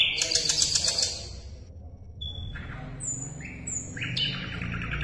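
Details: Asian brown flycatcher song used as tutor material for contest songbirds: an opening second of harsh rattling chatter, a short gap, then clear high whistles and stepped slurred notes repeated at a quick pace.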